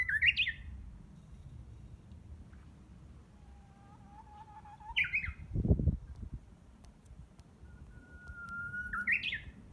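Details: Unseen Japanese bush warbler rehearsing its song in June greenery behind a house; three phrases, each a sustained low whistle breaking into a bright tumbling flourish, with a brief low thump between.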